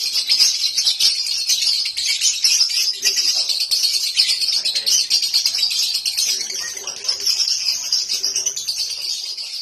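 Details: Home-bred lovebird in continuous 'konslet' singing, rapid high-pitched chattering made of quick scratchy notes, about two per second in loose pulses, dense throughout with a slight dip in loudness midway.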